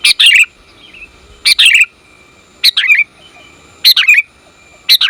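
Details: Sooty-headed bulbul female calling the male, lure recording: five bursts of harsh, chattering chirps, each with a slurred falling tail, arriving roughly every one and a quarter seconds.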